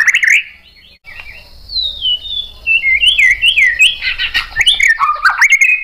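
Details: White-rumped shama singing to encourage other shamas to sing: a loud opening note, then a long string of thin whistles falling in steps, followed by fast varied warbling and sharp chips.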